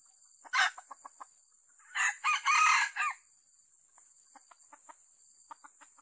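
A red junglefowl gives a clipped, hoarse crow of about one second in several choppy parts. Soft clucks come before and after it, over a steady, high insect whine.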